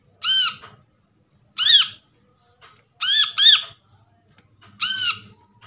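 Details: Harsh, arched chirps from an untrained brown-throated sunbird caught in the wild, played to prompt silent sunbirds to call; single notes and one rapid pair spaced about a second and a half apart.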